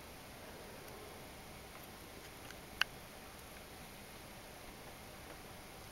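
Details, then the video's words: A Eurasian blue tit (Cyanistes caeruleus) knocks its beak on a window, possibly attacking its mirror image as an intruder: one sharp, loud knock and a few faint ticks, over quiet steady hiss. "Blue tit knocking on window"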